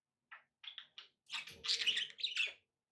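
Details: Domestic budgerigars giving a few short chirps, then a burst of rapid, raspy warbling chatter with overlapping squeaky notes before falling quiet.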